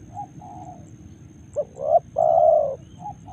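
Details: Spotted dove at Karawang: soft preliminary coos lead into a loud phrase of a short note, a rising hoot and a prolonged level coo, then quiet coos again over a low rumble.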